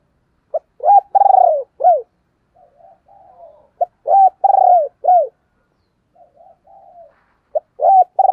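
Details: Decoy spotted dove calling wild doves closer, repeating its phrase three times about every three seconds: a quick opening note, a long vibrating descending coo and a curved falling coo, with soft mumbling notes between phrases.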